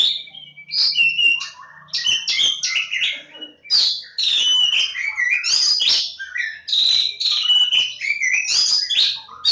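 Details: Oriental magpie-robin, called Kacer Jawa, labelled lebakgowah, singing a rich, fast, varied stream of whistled and chattering phrases that jump between high and mid pitch, with short breaks near two and four seconds.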